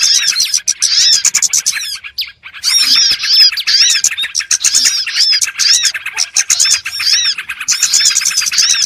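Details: Many small birds chirp together in a trapping lure, with sharp high twitters and arched whistles in dense bursts and a short lull early on.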